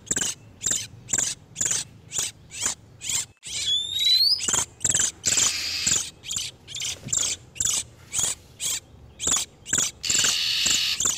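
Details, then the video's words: Breeding-condition male and female oriental magpie-robins, used to lure wild birds: rapid steady series of sharp raspy high notes, a quick pair of rising whistles midway, and longer hissing churrs. "SUARA PIKAT BURUNG KACER TERBARU/SUARA KACER BIRAHI"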